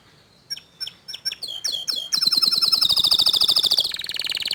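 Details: Young canary responding to the song of another canary: starts with spaced sharp chips that speed up, then breaks into a long, loud, fast trill of bright ringing notes.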